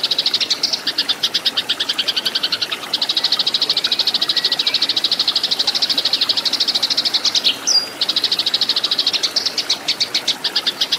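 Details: Eurasian tree sparrows in a fight, recorded as tutoring material for caged birds: a long, dense stream of sharp high chirps, almost continuous, with a brief thin whistle near the middle.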